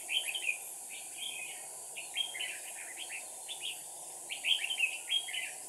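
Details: Red-whiskered bulbul kept as a decoy, singing to stir up rival birds: rapid clusters of bright, chopped whistled notes in repeated phrases, fairly distant, with steady background hiss and a brief spoken word after.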